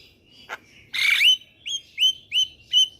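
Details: Javan myna song used to make young mynas sing: a brief harsh rasp, then four clear up-slurred whistles repeated about every half second.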